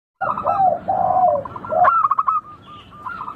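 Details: Local zebra dove song used to prompt other doves into singing: soft slurred coos, then a sharp burst of rapid staccato notes trailing into a fainter series of clipped coos.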